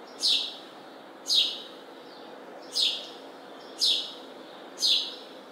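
A house sparrow gives five bright, slightly falling chirps, about one each second, against a faint steady background hiss.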